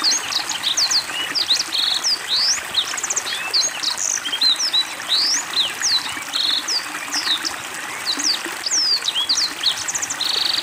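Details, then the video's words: Black-throated Canary singing energetically with water therapy, a long unbroken medley of thin rising and falling whistles, dry trills and chips, accompanied by constant trickling water. "Blackthroat Gacor Dengan Terapi air"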